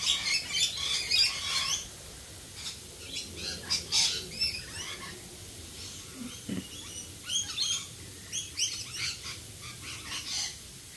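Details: Rainbow lorikeets in Australia calling during rain, a flock giving rapid shrill screeches and chattering squawks, loud at first then scattered bursts, with constant rain noise underneath.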